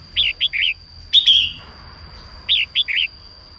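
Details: Morning song of a female red-whiskered bulbul, used to stimulate males to sing: two three-note slurred whistled phrases separated by a louder rich warble, with a constant high-pitched tone behind.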